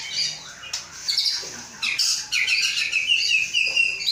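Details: Aceh-line white-rumped shama in captivity sings a jumble of high chattering notes, sharp chips and short whistled slurs, with quick bursts separated by brief gaps.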